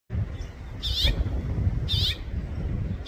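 A house finch gives two short, bright warbled chirps about a second apart, set against a steady low rumble.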